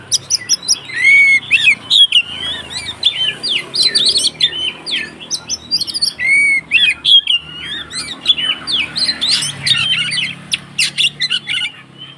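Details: White-rumped shama giving a fighting song meant to provoke rival shamas: a dense, continuous stream of quick whistles, sharp chips and buzzy trills, with very short pauses between bursts.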